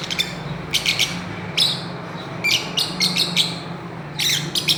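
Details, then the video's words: Fischer's lovebirds chirping while playing on a swing: short high shrill chirps in small clusters every second or so, over a steady low hum. "Parrots playing and chirping"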